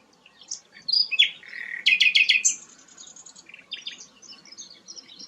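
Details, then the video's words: Sikatan londo, a rare flycatcher, sings a short mix of high whistles and a buzzy trill, then rapid stuttering chips and fading soft twitters. "burung langka sikatan londo"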